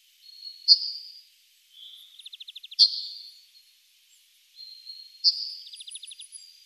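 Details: Yellowhammer song, fairly quiet: a high, thin drawn-out note, then a rapid even trill of short clicky notes, then a sharp note that opens a long buzzy high tone. The phrase comes twice. No other sounds.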